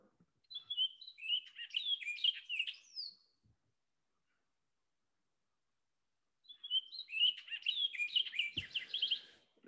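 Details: An Orchard Oriole sings two quick, jumbled bursts of clear whistles and chattery notes, each about three seconds long with a pause between; the song is similar to a Baltimore Oriole's but quicker.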